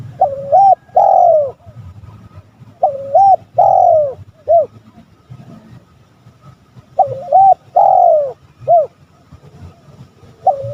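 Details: Spotted dove on a rival-provoking lure recording gives its soft hollow coo phrase three times about every four seconds: double coo, long falling coo, short final note, against low rumble.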